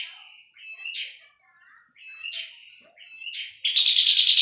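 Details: Puff-throated babbler, a tutor recording for caged songbirds: a run of soft, slurred whistled notes rising and falling, then a sudden loud buzzy rattle of fast pulses at the end.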